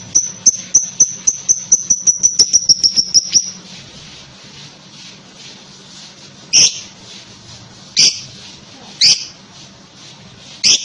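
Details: Lovebird chattering: a fast run of about fifteen shrill, high ticking notes over three seconds, then four louder harsh squawks spaced about a second apart, with background hiss.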